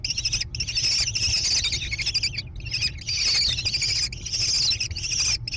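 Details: American kestrel chicks growing in a barn-side nest box overlooking hilly meadows, Prairie du Chien, Wisconsin, USA, June 2022. Raspy, high-pitched screaming chatter arrives in long runs separated by short pauses.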